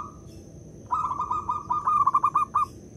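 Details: Local zebra dove sung as a decoy for other doves: one long rolling coo that starts smooth and breaks into rapid, distinct pulses toward its end, with a steady faint high whine.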